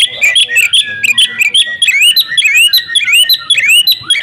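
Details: A female Oriental magpie-robin calls for the male so he will sing, giving a busy, fast series of clear whistled upsweeps and sharp chirps, almost two notes a second, strongly repeated throughout.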